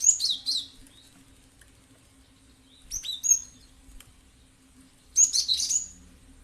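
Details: A cinereous tit (gelatik batu) gives three spaced bursts of sharp, high twittering chirps, each about half a second long, used as a lure to make other birds respond, with a soft steady hum behind.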